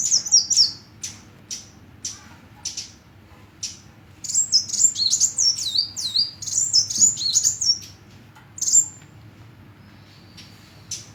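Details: Rapid high-pitched hummingbird twitter, short sharp chirps repeated about four per second with a longer run of zigzag squeaky notes, then sparse single chirps.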